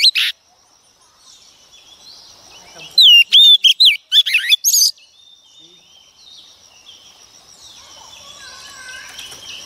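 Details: Singing female Oriental magpie-robin, used to excite males: a sharp opening note, then about two seconds of loud rapid whistles and warbles, followed by quiet hiss with faint high background tones.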